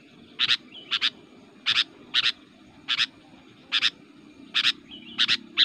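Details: Kutilang (Sooty-headed Bulbul) singing hard as a fighter to rile rival bulbuls: eight clipped double chirps, evenly spaced roughly every three-quarters of a second, over a noisy rustling background.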